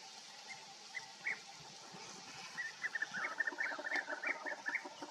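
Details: European bee-eaters at Bölcske, Hungary, calling: soft rolling, liquid notes, at first sparse, then a dense chorus of many birds overlapping, over a faint steady background hum.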